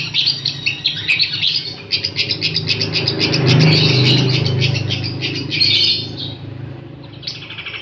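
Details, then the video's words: A long-tailed shrike gives a fast, scratchy chattering song, about four bright notes a second with harsh bursts, over a steady low hum. "cendetnya maszee cocok buat masteran"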